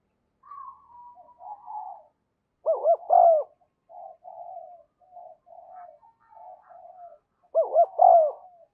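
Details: Decoy spotted dove giving its 'thúc' and 'gáy' calls to lure wild doves to the perch: two loud, deep, rolling coo phrases about five seconds apart, with soft, drawn-out warbling notes between them.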